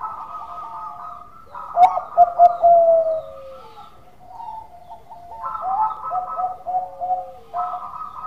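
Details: A Bangkok-type zebra dove in full, relaxed, melodious song repeats bursts of rapid clipped coos, each trailing into a long, gently falling note, about three times in eight seconds.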